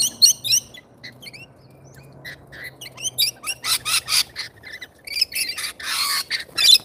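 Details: Rainbow lorikeets at feeding time: sharp, harsh screeches and chattering squawks in irregular bursts, some rapid and metallic, with quiet gaps between.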